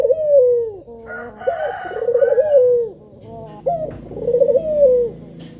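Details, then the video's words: A male spotted dove gives lure coos to draw other doves into song: a quick note, then a long warbled coo falling in pitch, heard three times. A short burst of brighter, scratchy noise cuts in early. "Puter Jantan Yang Gacor Suara Pancingan nya Sanggat Menggoda"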